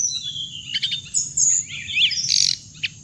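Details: Hồng hạnh bird, recorded for speaker playback to lure birds into traps: a few sharp, high chirps and short twittering notes with a rising squeak, over a steady high-pitched whine.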